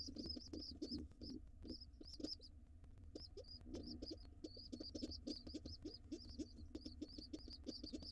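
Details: Young nestlings of wild rock pigeons in a nest box with both parents, the father white and the mother gray. Thin, high squeaky cheeps repeat rapidly over quieter low cooing and tapping.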